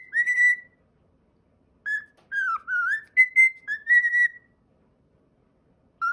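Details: A cockatiel kept as a pet whistles an original melody of clear, tonal notes, some swooping down then up, arranged in a broken phrase with short gaps and a lone note at the end.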